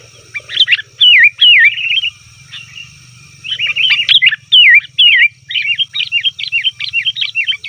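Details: Sooty-headed bulbul calling, a recording used to lure wild bulbuls in forest: loud liquid phrases with rising-falling whistled notes, then quicker chattering bubbly notes, steady faint low hum behind.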